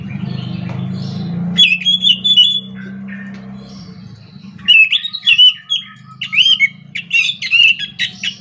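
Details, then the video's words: Anis macan, or scaly thrush, singing in the morning in ngerol fashion: after a humming lead-in, bursts of loud whistled and twittering phrases repeat rapidly, rich and varied. "kicauan Anis macan gacor ngerol"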